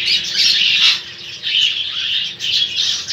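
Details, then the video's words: Lovebird fighting with an Indian ringneck, giving loud grating screeches in three or four clustered bursts over a few seconds. "Indian rangnick fight love bird"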